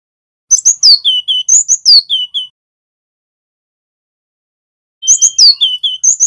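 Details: Male cinereous tit of the Javan wingko type in loud ngerol song used to train captive birds: a quick two-second run of high chips and sliding whistles, a pause, then a second run beginning with a steady whistled note.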